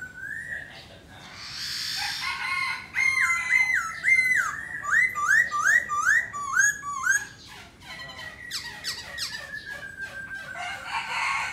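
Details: Black laughingthrush sings while dancing: scattered whistles lead into a fast train of looping rise-and-fall whistled notes, broken by clicking rattles, ending in a long slightly falling whistle.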